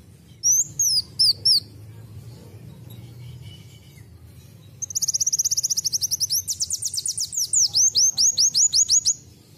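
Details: Brown-throated sunbird delivering learned canary song: scattered high twittering chirps first, a quiet gap with low rumble, then a long burst of rapid high notes ending in repeated sharp sweeping slurs.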